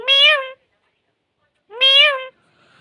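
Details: Talking parrot imitating a cat's meow: two drawn-out, nasal meow-like calls, each about half a second and rising then falling, separated by a pause of over a second, indoors.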